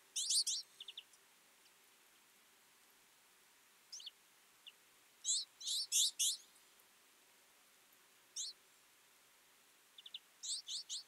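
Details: Winter feeding flock of twite giving clusters of sharp, high-pitched chirps, some loud and overlapping, in bursts every few seconds with silence between.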